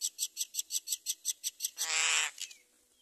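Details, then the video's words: Common myna chick being fed rice by its mother: about a dozen evenly spaced high raspy chirps, roughly four per second, breaking into a loud harsh squeal before fading. "Mother myna brings rice to feed her baby"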